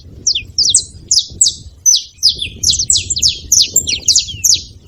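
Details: Saffron finch uttering lively, high chirps in loose pairs and triplets, each a quick descending note, against faint low background noise.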